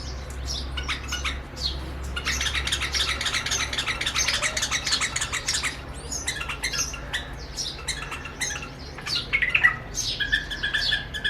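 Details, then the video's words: A pair of White-eared Bulbuls on a window sill in Rajasthan, treating their mirror reflection as a rival, give a busy, harsh chattering run, then brief liquid whistled notes near the end, over a steady low indoor hum. "Mrs. & Mr. Bulbul Mirror Singing | White Eared Bulbul"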